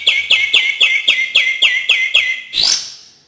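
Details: Cream-vented bulbul song used to encourage reluctant singers: a run of eight rich, slurred, descending notes about four per second, ending in a harsh rasping burst.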